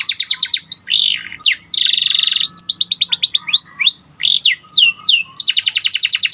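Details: White panda canary in full song for training other birds: fast strings of sweeping chirps, broken by dense buzzy rolls and high trills, delivered loud and almost without pause.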